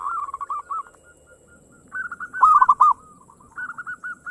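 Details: Fast 'ngayer engkel' singing by a local zebra dove, used as a singing lure: softer chains of quick cooing notes building to one loud rolling phrase, then quieter coos resume, light background hiss.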